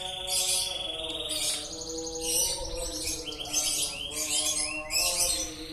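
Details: Continuous canary song of quick trilled phrases and short rising sweeps, high and rattling, running without pause across the recording while soft sustained music hums beneath.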